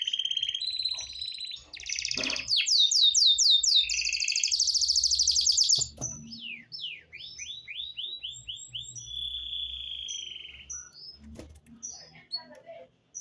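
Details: Belgian canary in morning song, a varied string of high whistles, fast rolling trills and rapid series of downslurred notes. Loud, buzzy passages give way to softer slurs and a sustained whistled roll, with soft low thumps in the background.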